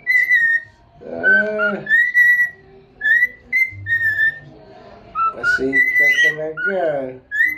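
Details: Cockatiel whistling while bobbing its head in happy dancing, with repeated clear whistled phrases at a steady pitch, broken by lower, harsher voiced sounds and a brief squeaky burst.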